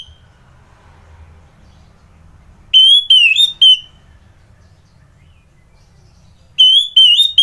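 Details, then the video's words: Orange-headed thrush (anis merah) singing in the morning in Kubutambahan, Singaraja, Bali; after a quiet stretch, a short burst of pure high whistled notes, then silence and a second similar burst. "Merdu Kicauan ANIS MERAH Gacor"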